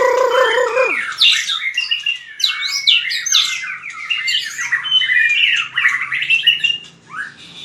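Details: Fighting-song training of a white-rumped shama: a falling harsh nasal note first, then a crowded flurry of sharp whistles, trills and slurred notes that fades toward the end.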